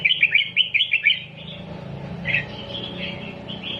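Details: Doubled-style song of a red-whiskered bulbul used to train young birds: a quick burst of sharp chirping notes at the start, followed by scattered quieter warbled phrases against a faint low background rumble.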